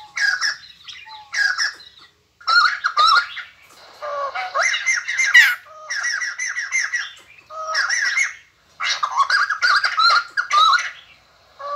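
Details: White-crested laughingthrush, which sings and dances all day after eating geckos, gives harsh chattering bursts in rapid, jerky phrases. The phrases come in loud clusters every second or so, with short gaps of silence between them.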